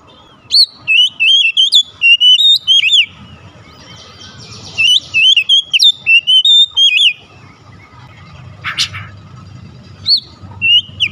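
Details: Oriental magpie-robin song used to lure a house bird into singing: runs of sweet, looping whistles in two long phrases, a short harsh rasp, then a few isolated whistled notes.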